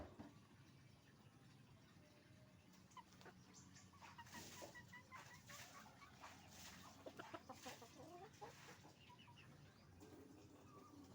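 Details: Hens and roosters calling together inside a chicken farm: a dense, overlapping chorus of quick clucks and harsh bursts swells after the first few seconds, with a broad hissing background throughout.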